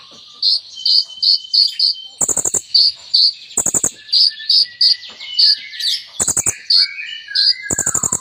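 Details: Kolibri ninja (Olive-backed Sunbird) in full song with imitations: rapid series of high bright notes interrupted by several bursts of rattling clicks, plus thin falling trills.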